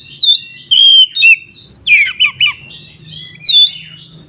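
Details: Oriental magpie-robin in loud, open fighting-style song used to provoke rival magpie-robins into aggression. Sweeping whistled notes and twisting phrases come in three bursts separated by short pauses, with a faint low hum underneath.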